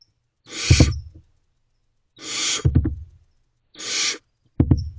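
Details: A group of young barn owls in a nest box early on a May morning, making three coarse, breathy hisses about 1.5 seconds apart, each followed by thumps and scratching.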